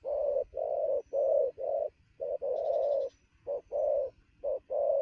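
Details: Midday rapid cooing by a freshly captured wild spotted dove: loud, husky low coos, some long and swelling, others short, with brief pauses between, plus a faint high buzzy trill and low rumble.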